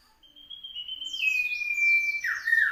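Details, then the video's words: Common iora singing in South Malang on 16 June 2020. One long, drawn-out pure whistle slides slightly downward before a buzzy, descending twitter. Softer, higher chirps overlap near the end. "suara merdu burung cipow"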